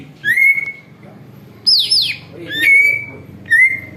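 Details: Greater green leafbird, used for luring and said to imitate an eagle, gives long level whistles and one rasping downward sweep, about four phrases in four seconds over a low murmur.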